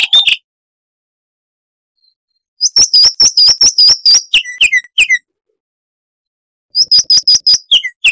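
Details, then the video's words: Southern African chestnut-vented warbler, a scrub and dry-river bird used as a tutor for cage songbirds, delivering three bursts of sharp, high chirped notes that run into lower slurred whistles, with quiet gaps between phrases. "Masteran Burung Luar Negeri Suara Asli Kristal HD - Chestnut-vented Warbler (Sylvia Subcaerulea)"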